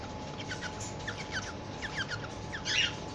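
Cockatiel chirping: quick, bright, downward-sliding chirps repeated several times a second, ending in a louder harsh burst, over a steady low electrical hum.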